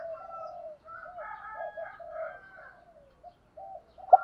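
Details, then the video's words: Soft, low, overlapping cooing from spotted doves during morning decoy calling of wild birds, a continuous murmur of muffled coos, ending with one brief louder note. "tiếng chim cu mồi thúc và gáy gọi, cu mồi gáy gọi bổi buổi sáng giọng hay"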